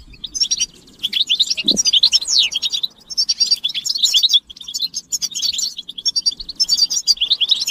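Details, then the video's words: Several European goldfinches chattering together, a stimulation recording to end a male's silence; sparkling high twitters in long runs, one brief gap near one second and a short low knock. "بتبتة الحسون تحفيز الحسون على التغريد والهيجان علاج صمت الحسون goldfinch stimulation"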